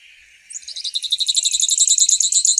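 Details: High-pitched, rapidly pulsing trill from a grassland yellow finch, beginning after a faint lead-in and growing louder over two seconds.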